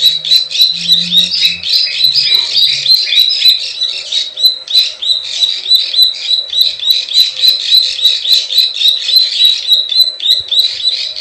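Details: Plain prinia lure recording in the klik klik ciwah style, used to attract wild birds: dense, buzzy clicking notes repeated about three times a second without pause, with brief faint low hum near the start.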